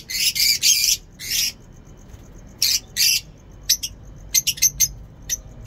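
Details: Lovebird kept in a home aviary giving loud, harsh, high squawks in short bursts, separated by gaps, followed by a series of quick clipped chirps near the end.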